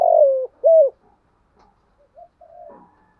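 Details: Spotted dove cooing used as a decoy to provoke wild birds: a long, slightly falling coo followed by a short arched hoot, then soft scattered notes and a faint trailing coo in a quiet setting.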